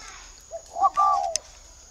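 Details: Spotted dove kept at a bird farm in Ba Vì district, Hanoi, Vietnam, giving one low cooing phrase: a short soft note, then a brief coo and a longer drawn-out hollow coo. A faint steady high whine runs underneath.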